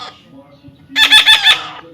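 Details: A baby parrot kept as a pet gives a single hoarse, quickly pulsed squawk after a second of quiet, the rasping sound wavering four times before fading.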